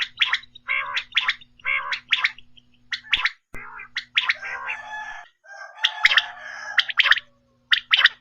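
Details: Quail call played after dark to draw quail for hunting: coarse gargled bursts in quick groups, with a steady electrical hum and a noisy rasping passage in the middle.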